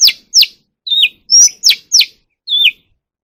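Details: Oriental magpie-robin kept in captivity and sung for voice training. It gives a loud run of seven clear whistled notes, most sweeping steeply downward, spaced about half a second apart, with one flatter wavering note in the middle.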